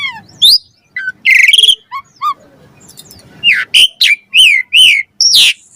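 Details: Varied Asian pied starling training song for caged birds: scattered chirps and slurred whistles, a harsh buzzy burst, a short pause, then a string of loud whistled and chattering notes.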